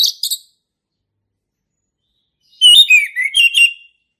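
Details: Orange-headed thrush male from the forest in ngeplong style, a tutor song for young birds: brief high notes, then a fluid whistled phrase that wavers and drops.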